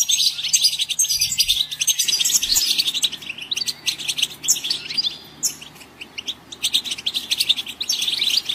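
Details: Goldfinch in full song: a continuous, fast, scratchy twittering of high chirps and buzzy trills, dipping briefly then resuming strongly; faint low hum and a few soft knocks.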